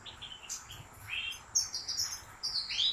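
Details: European goldfinch bred by a professional keeper pouring out a quick run of high, sweet twittering notes with rising slurs and chirps, steady and unbroken.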